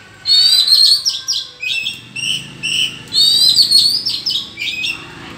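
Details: Oriental magpie-robin singing a duel with rivals in the wild forest: sweet, high, warbling phrases with descending whistled notes, two bursts separated by softer lower notes.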